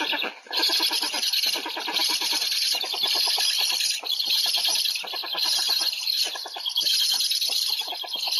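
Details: Black stork at an afternoon feeding on 20 July 2020 in Łódź, giving a continuous harsh, hissing wheeze with a fast rattling pulse that barely pauses for over eight seconds.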